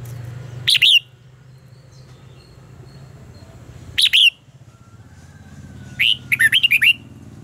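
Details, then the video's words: Red-whiskered bulbul fighting song used to prompt other birds to sing. Two short, emphatic whistled notes about three seconds apart, then a longer phrase of several rapid warbling whistles, all over a soft low hum. "luyện giọng cho chào mào hót hay - căng lửa, chào mào hót quá phê"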